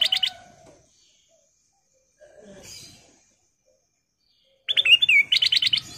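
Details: Lure call of a golden bulbul, kutilang emas, used to make others sing: a quick chirp cluster, a long pause with faint rustling, then a fuller run of bubbly whistles and rapid repeated notes.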